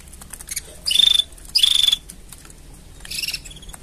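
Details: Mating sounds of a canary: two rapid pulsed trills, each about a third of a second, high and rattling, then a softer, fainter trill after a gap. A low background hum is present.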